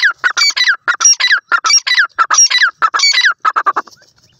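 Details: ['Female black francolin with her chicks: a fast, continuous series of loud, nasal, squawking notes in paired and grouped bursts, fading into quieter notes at the end.']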